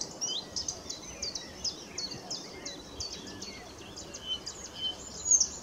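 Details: Singing Blyth's reed warbler recorded 21 June 2021 at Middleton Lakes reserve: rapid high chattering notes, each motif repeated several times before switching, ending in a louder sharp note, with other birds faintly chirping lower down.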